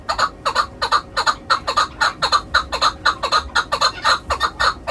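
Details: Hunting chukar repeating evenly spaced, gravelly chuck notes at a brisk steady pace, roughly two per second, some notes paired. The bird's voice is clear and close, with a quiet background.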